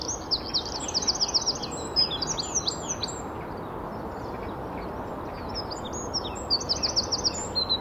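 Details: Great Tits in a Welsh dawn chorus sing high, ringing two-note teacher-teacher phrases in quick bursts, one bird answering another, with other small birds chirping in the background.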